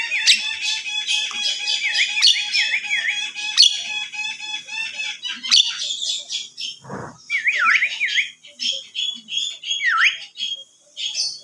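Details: Javan myna whistling: repeated high V-shaped whistles between bright chattering notes, with a short noisy thump midway and more whistles following.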